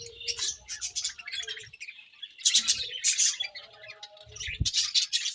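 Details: Budgerigars at morning feeding, chirping in clustered bursts of bright, buzzy notes, with short gaps and a low thud near the end.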